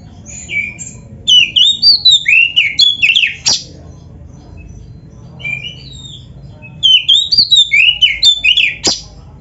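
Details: Oriental magpie-robin singing on a training recording for caged birds, in the 'gacor full isian' style. Two fast bursts of varied, sweeping whistles are separated by a quieter gap, and each burst ends in a sharp, harsh note.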